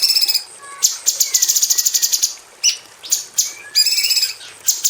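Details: Caged female cucak cungkok bulbul in an aviary, kept as a song tutor for magpie robins: broken bursts of shrill high notes and fast buzzy rattles separated by short pauses, with a few thin rising whistles.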